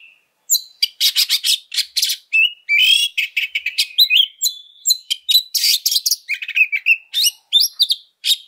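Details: Aggressive oriental magpie-robin, recorded as a lure for other birds: rapid volleys of harsh chattering notes interleaved with whistled slurs and buzzy rasps, sustained almost continuously throughout.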